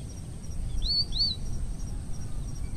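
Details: Two thin, high, arched chirps from a red avadavat in quick succession, with fainter chips after, over a low rumble and steady high hiss; an introduced bird from Asia, recorded in Parque del Sureste, Madrid, Spain. Finding: Red avadavat.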